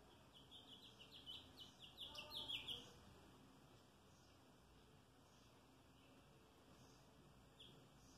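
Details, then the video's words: House finch, 3 May 2022, giving a softer, more distant warble of rapid chirps for under three seconds, followed by quiet background with a faint note near the end. "Canto del Pinzón Mexicano"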